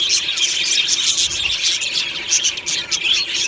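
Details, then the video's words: High, scratchy warbling and chirping from a colony of budgerigars kept in an aviary, sung happily in the morning; constant overlapping chatter with a few clearer whistled notes. "Beautiful Budgie morning happy singing and chirping sounds"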